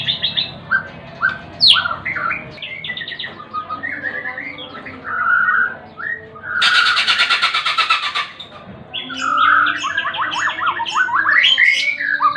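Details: White-rumped shama (murai batu) singing a varied string of rich whistled phrases, quick upslurred notes and short trills, broken midway by a loud burst of broadband hiss lasting about a second and a half.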